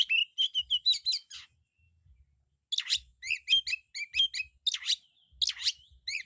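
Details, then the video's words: Oriental magpie-robin (kacer) singing a loud, full song packed with varied phrases: bursts of high, sharp whistled and chattering notes in quick clusters, separated by short pauses, with one longer gap and faint low thumps beneath. "Suara burung kacer full isian suara kencang"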